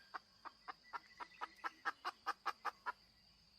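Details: Female chicken giving quiet, regular clucks, roughly five per second, each short and slightly nasal, over a faint steady background hum.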